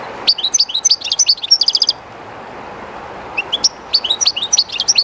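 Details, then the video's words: Beside the current of the Río Jerte, a shy kept European goldfinch delivers two fast bursts of liquid twittering notes separated by a pause of about a second and a half, with constant rushing water behind. "JILGUERO CANTANDO EN EL RÍO/Goldfinch singing in the river/Chardonneret chantant dans la rivère"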